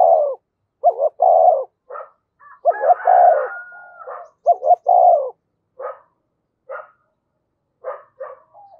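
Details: Decoy spotted dove cooing: rapid three-note phrases, two quick rising notes then a longer rolling coo, given several times in succession, followed by short clipped notes and a faint sustained whistle-like tone.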